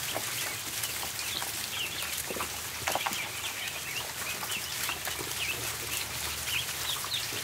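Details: Ducklings feeding on the floor of a barn give repeated high, slightly wavering peeps, while loud pecking clicks and scuffling fill the background throughout.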